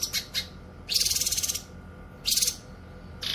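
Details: Cucak kinoy song suited to luring wild birds: short high chirps, then long harsh buzzy rattles built of rapid pulses, with a faint steady background hum.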